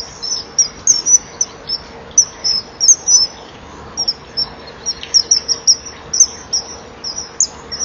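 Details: Eurasian kestrel pair, female perched and male arriving from the box passage, exchanging calls as he attempts to mate, 12 March 2015 at 07:19: steady runs of shrill, high chipping notes, several per second, near a nest box camera.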